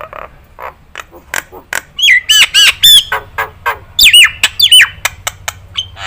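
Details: Nias hill myna song from a tutor recording meant to be easy to imitate: a fast chatter of clicks and harsh notes building to ringing, bell-like whistles and sharp falling slurs, with faint background hum.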